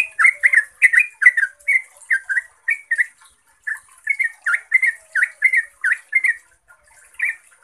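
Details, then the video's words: Long clear 'ropel' song of a yellow-vented bulbul, played as a lure to make caged birds sing: quick chattering burbled phrases in a continuous stream, briefly pausing near the middle, over a thin constant high-pitched hiss. "Suara Trucukan Ropel Panjang Jernih"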